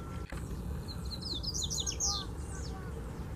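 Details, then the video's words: Double-collared seedeater perched on a wire fence, singing in the Mateiro song style: a rapid run of sharp, high, slurred chirps in a tight burst over steady low rumbling background noise. "Coleiro Cantando na Cerca de Arame - Coleiro Mateiro!!!"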